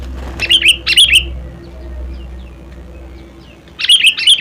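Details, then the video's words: A sooty-headed bulbul sings two short bubbly phrases of chirps, pauses for over two seconds amid low background hum, then begins another phrase. "SUARA ASLI KUTILANG"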